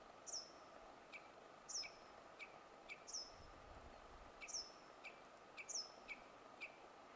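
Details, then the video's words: Wood sandpiper calling in Kuusamo, Finland, on 24 May 2019: sharp, high, downward-sweeping whistled notes given at irregular intervals of roughly a second, each paired with short lower clicks, over faint background noise. "Wood Sandpiper calling - Bosruiter roepend"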